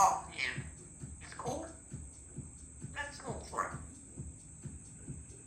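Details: Three-year-old female Congo African grey parrot, a pet kept indoors at a country home, talking in short, voice-like bursts and phrases, with a steady soft ticking and a constant high hum behind.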